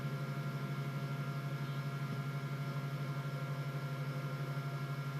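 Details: Steady low electrical hum with fine tonal lines and a faint hiss, recorded in Catalonia, with no animal sounds.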